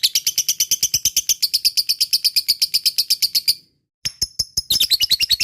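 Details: Lovebird giving long ngekek chatter to coax other lovebirds into song: a dense run of shrill, rapid notes, a brief silence, then the chattering resumes.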